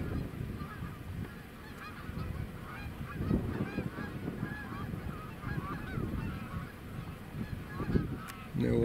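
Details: A large flock of geese honking, repeated nasal calls overlapping in a busy chorus over steady low background rumble, with a brief louder burst near the end.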